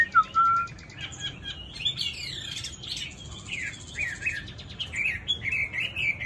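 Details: A tame Chinese hwamei starts with a brief clear whistle, then moves into a busy, varied warble. The song mixes rising slurs with buzzy, tumbling phrases.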